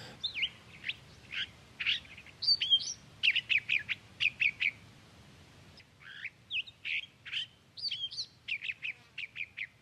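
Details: California thrasher (Toxostoma redivivum) sings a long run of varied, slurred and chattering phrases, two or three notes a second, with a brief pause midway; chaparral stands in drier, rocky sandstone country on Mount Diablo's Curry Point Loop.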